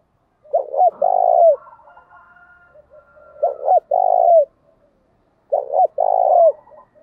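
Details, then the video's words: Spotted doves, male and female, cooing to rouse other doves to answer and duel. A deep, husky three-part phrase repeats three times, roughly every two and a half seconds. Low murmured notes fill the gaps. "tieng chim cu gáy thúc đấu, cu gáy kích bổi nhanh nổi gù/ tiếng thúc"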